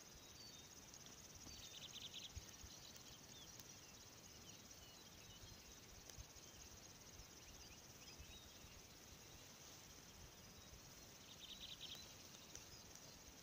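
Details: River warbler singing at Kangasala, southern Finland, on 10 June 2018: a steady, high, rapidly pulsed insect-like buzz running without pause, faint over a low background rumble.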